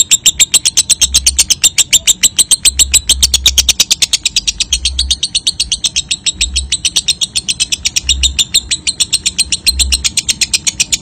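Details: Continuous ngekek of a young lovebird, a lure recording for trilling: a rapid, piercing, scratchy chatter sustained for the whole stretch, with occasional low thuds beneath.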